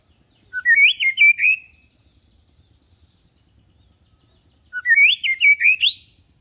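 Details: Calm white-rumped shama song meant to coach young birds toward adult singing: two matching phrases of quick, rising, warbled whistles about four seconds apart, with a quiet pause between.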